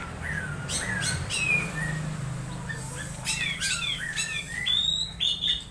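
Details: Strange calls of an orange-headed thrush during conditioning, meant to provoke other birds into full song at dewing time: short rising whistles and harsh squeaky notes in quick irregular bursts, ending in drawn-out thin high whistles over a low hum.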